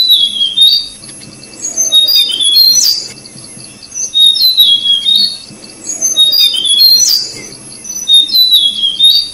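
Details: Tickell's blue flycatcher at the nest feeding chicks: bright, thin whistled phrases falling in pitch, given in bursts about every two seconds, with a faint steady high tone running underneath.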